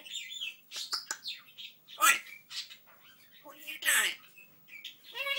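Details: Pet African grey parrot chattering in a quick string of speech-like syllables, with clicks, sharp squeaks, a loud bright note near two seconds and rising whistled fragments at the end.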